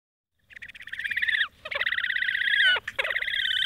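Horned Grebe giving three rapid, nasal trilled squeals, each about a second long, high-pitched and slightly wavering, separated by brief pauses; no other sounds.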